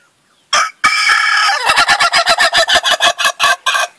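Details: Laughing chicken, ayam ketawa, crowing: two loud harsh opening notes, then a long rapid series of about a dozen evenly spaced pulsed notes, like cackling laughter, ending in a short pause and one last note.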